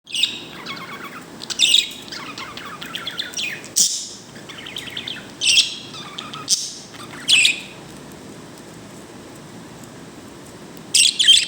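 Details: Pet bird making what its keeper calls a happy sound: bursts of bright chirps and quick descending twitters with sharp high squeaks, separated by quiet stretches.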